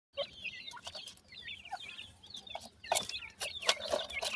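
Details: Partridge chicks making a strange teetering movement, peeping together: many short, high, downward-slurred chirps overlapping irregularly, with sharp clicks and knocks near the end.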